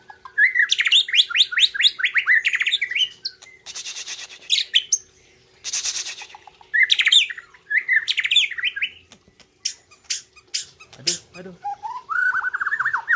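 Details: Competition white-rumped shama from Gayo, Aceh, in Indonesia, delivering a long varied song: rapid trills, buzzy rattles, noisy broadband bursts and clear rising whistles, repeated in quick phrases, with a faint steady hum behind.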